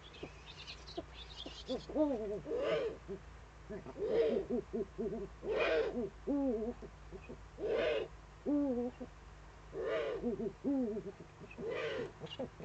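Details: Eurasian eagle-owls, the male bringing prey to the female, at an Eifel nest webcam on the evening of 23 February 2015: wavering, quavering hoots alternating with breathy hissing bursts every second or two.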